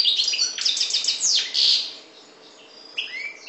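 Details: Goldfinch of the North African parva form giving a burst of rapid descending twittery notes, then a brief lull followed by a few thin whistled chirps.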